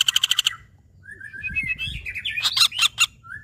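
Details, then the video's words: Pelatuk bawang, the common flameback: a brisk rattle of sharp notes, then mixed chattering and warbled sounds with a few loud harsh calls near the end. "Suara burung pelatuk bawang"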